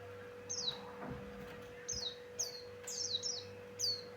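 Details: Javan grey-throated white-eye recorded for luring other birds: a handful of thin, high, sliding chirps after a quiet start, with a faint low hum throughout.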